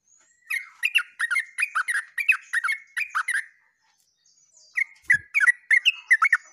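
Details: Yellow-vented bulbul singing on 29 August 2024. Bubbly, gurgling phrases of quick liquid notes repeat rapidly for about three seconds. After a short pause the bird resumes the same chattering run.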